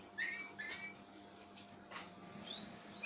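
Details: Oriental magpie-robin kept by an owner, giving an unusual voice said to frighten its owner: short slurred whistles rising then levelling, repeated twice in quick succession, then a faint higher note, over a steady indoor hum.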